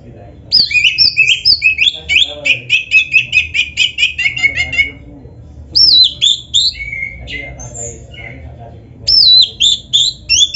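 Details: Black-breasted Oriental magpie-robin in lively full song with mimicked phrases, a master recording for training: rapid bursts of sharp whistled notes and rattling trills, a pause near five seconds, then renewed swooping whistles, over a low background hum.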